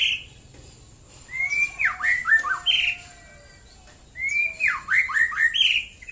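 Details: White-rumped shama at Prambanan, Klaten, Central Java, singing in the morning. Two phrases about three seconds apart, each a rising whistle followed by a string of quick, dipping, slurred notes.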